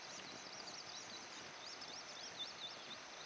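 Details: Little grebe, Tachybaptus ruficollis, giving a high, rapid trill of wavering, up-and-down notes that runs steadily for about three seconds over a constant background hiss.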